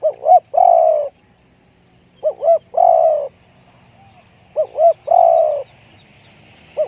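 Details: Spotted dove of the 'one-kook, big voice' style cooing: a quick double note followed by a drawn-out hollow coo, repeated three times with a fourth phrase starting, over a faint low hum.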